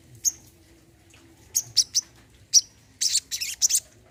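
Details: Olive-backed sunbird in a therapy recording meant to start a bird that has stopped singing: sharp, very high chirps given singly and in quick pairs, ending in a rapid burst of harsher, buzzy notes; quiet low hum behind.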